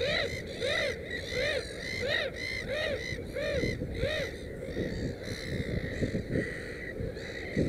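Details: Black-headed gull at the nest with three chicks utters loud, hoarse, downslurred squawks in a regular series about every second, then breaks into a ragged burst, over a continuous chorus of distant calling.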